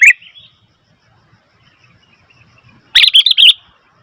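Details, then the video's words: Sooty-headed bulbul calling noisily: a brief bubbly note at the start, then after a quiet stretch a loud burst of three or four quick chattering notes, with faint low rumbling in between. "Suara Burung Kutilang ribut"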